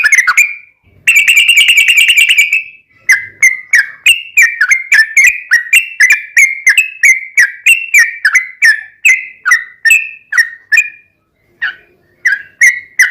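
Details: Energetic Yellow-vented bulbul singing a long rolling 'ropel panjang' phrase meant to provoke other bulbuls into replying: a dense buzzy trill opens, then a steady stream of bright, slurred whistled notes, roughly three a second, rising and falling.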